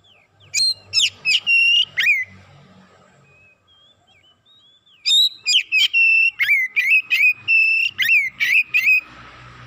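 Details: Oriental magpie-robin singing excitedly in two rapid bursts of short, clear, high whistles repeated about three per second, separated by a quiet gap with a few soft slurred notes.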